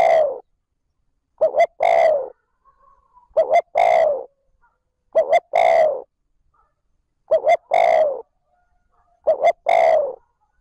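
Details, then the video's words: Spotted dove decoy bird giving the smooth 'trơn ròng' call meant to stimulate wild doves: a quick pair of short coos followed by a longer drawn-out coo, phrase repeated five times about every two seconds in quiet surroundings. "Tiếng cu gáy trơn ròng thúc gù gáy kích bổi nhanh nổi / Cu gáy gọi trơn ròng"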